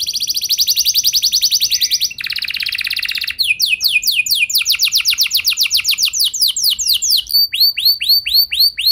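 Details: Canary performing a lure song so other canaries respond: buzzy rapid rolls at first, then tours of clear descending sweeps that gradually slow, ending in widely spaced curved whistles.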